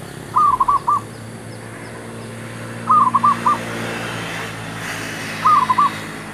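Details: Zebra dove call used to lure wild birds for trapping: a soft, mellow phrase of about four quick rolling coo notes, repeated three times roughly every two and a half seconds over a steady low hum.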